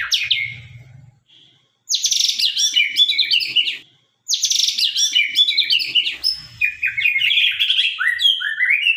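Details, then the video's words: Sharp-voiced white-rumped shama song from the Sabang strain: a soft opening note, then loud bursts of rapid, varied whistles and chatter, ending in a run of quick downward-slurred notes. "murai batu gacor murai sabang suara tajam"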